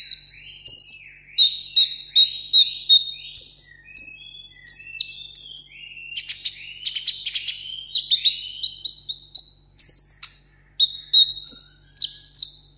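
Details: Caged sunbird kept as a café-table bird, singing solo in contest style: a rapid string of high, thin whistled phrases, some descending slurs and short trills, with bright notes delivered almost without pause over a quiet indoor background.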